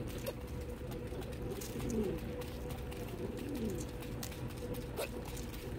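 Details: In Dubai, United Arab Emirates, pigeons at a feeding spot give two soft, low, wavering coos a couple of seconds apart, set against a constant hum and occasional sharp taps.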